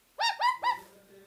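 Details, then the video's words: Parakeet whistling three quick, clear harmonic notes in a rapid rising-then-level series, followed by a softer trailing tone in a quiet setting. "Parrots natural funny sounds"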